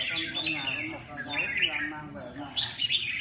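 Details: Red-whiskered bulbul chattering in lively, fluty twitters with a few higher whistled notes near the end, over faint human speech.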